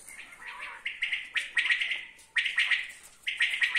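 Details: Common quail calling with bright, quick-pulsed phrases, several notes per burst, the bursts following each other roughly every second.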